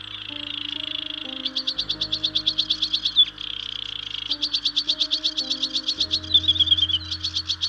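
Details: Sedge Warbler singing on Stains Moor in early spring: long rapid rattling trills of repeated notes alternating with a steady churring buzz and a few thin whistles, while instrumental music plays underneath.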